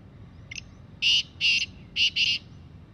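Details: Wild black francolin calling freely in jungle: a short faint lead note, then four loud harsh grating notes, two evenly spaced and a final quick pair, over a quiet low hum.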